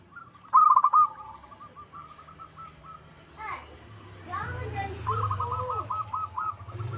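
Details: Local zebra dove lure call to make other doves reply: a loud rolling coo phrase opens, trailing into softer repeated notes, then a person talks over a final string of even coos.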